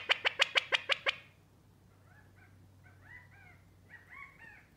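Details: Pet California quail giving its alarm call indoors: a fast burst of about seven sharp, clipped pit notes in one second, then softer, scattered chirping notes over a faint indoor hum.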